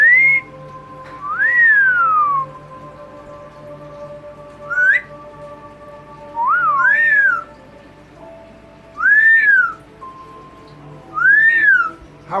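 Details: Double yellow-headed amazon parrot at home, talking to its owner, gives a series of about six arched whistles, each rising then gliding down, spaced a few seconds apart, some with short upward chirps, over steady hum.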